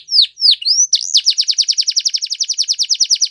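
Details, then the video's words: Canaries singing: a few high swooping whistles, then a long, rapid, very regular trill of repeated bright syllables, about eight per second, continuing to the end. "Canaries Singing"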